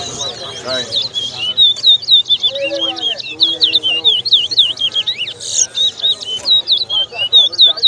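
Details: Chestnut-bellied seed finch (towa towa) singing in a 2022 bird singing competition at Lusignan, Guyana: fast run of sharp, high whistled notes, some rising and some falling, about four per second, with people talking low in the background.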